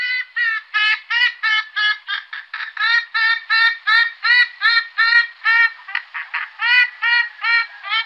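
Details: An Iberian western swamphen (Porphyrio porphyrio) gives a steady series of loud, nasal, honking notes, nearly three per second, with a harsh trumpet-like ring and no other sounds.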